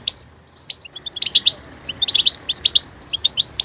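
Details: Short goldfinch passage of sparse high chirps building into a quick tinkling twitter.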